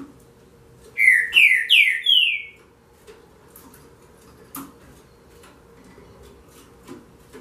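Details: Green-winged saltator opening with four loud slurred whistles falling in pitch, then several seconds of near silence broken by a sharp click.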